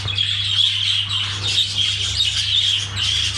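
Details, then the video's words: Budgerigar mating sound: a bright, wavering warble at a steady high pitch, repeated in short bursts with brief dips between, backed by a faint low hum. "Muhabbetkuşu çiftleşme sesi"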